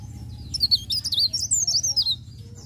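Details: Leaf warbler singing in continuous rolling style in the morning: a high, fast, twisting run of thin whistled notes with no breaks, sliding up and down in quick wavy phrases, with a low steady hum underneath.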